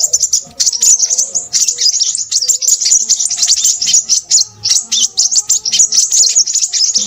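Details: A crimson sunbird in a noisy, busy song. Shrill, rapid chirps come in quick pulses, dense and high throughout, with weak low notes in the background.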